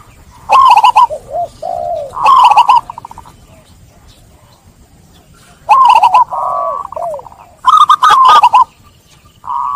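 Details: Zebra dove lure song for doves stressed after being caught: clustered bursts of fast rippling coos trailing into lower, softer notes, with a long quiet pause midway before more phrases.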